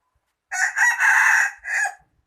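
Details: Single crow of a rooster, a harsh multi-part cock-a-doodle-doo with a brief lead-in, a long loud held centre and a detached drawn-out ending, clear against silence.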